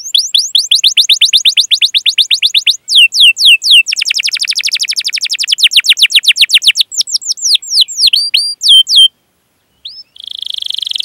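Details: Canary singing continuously as a training lure for young birds: runs of rapid downslurred chirps, a dense buzzy roll, then varied swooping notes, with a brief pause before a final buzzy burst.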